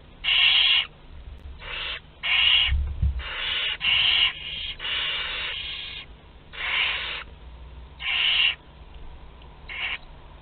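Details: A busy chorus of rough, breathy hisses from several Barn owl chicks, two to twelve days old, feeding together at a nest in Théding, France, on 29 April 2021; bursts overlap and vary in length, with a low thud.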